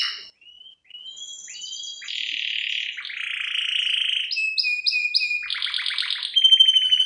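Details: Lure and master recording of a canary in cengkok isian style, said to be a female calling the male: a few soft opening whistles, then buzzy rolls, a run of evenly spaced chirps and a pulsed trill.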